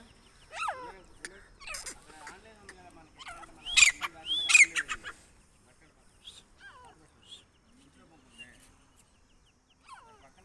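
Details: Female grey francolin (teetar) calling, used as a lure for trapping: loud, clear whistled notes that sweep up and down, with two strong bursts near the middle, then softer scattered notes with quiet gaps.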